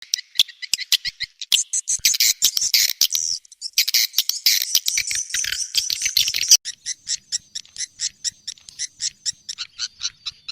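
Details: Swiftlet sound compiled for swiftlet farmers in Indonesia: dense high chirping twitters, a thick burst of overlapping calls in the middle, then evenly spaced sharp clicks and chirps toward the end.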